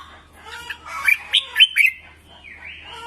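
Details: Red-whiskered bulbul song for training singing birds: a busy run of rapid, slurred whistles and chatter, then a softer rising whistled phrase.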